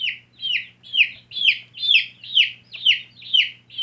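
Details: Shrill peeping of baby backyard chickens: downward-slurred chirps repeated about twice a second in an even rhythm, loud and clear, with a soft background hum.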